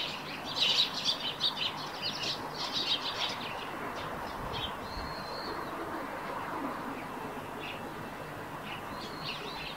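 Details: Eurasian tree sparrows by a roof nest produce a burst of loud, rapid chirping for the first few seconds, then only a thin drawn-out note and scattered faint chips over soft outdoor ambience.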